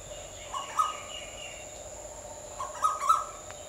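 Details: Asian koel with loud paired notes, each rising slightly. One pair is heard early and a second burst of two or three notes follows about two seconds later, over a constant insect drone.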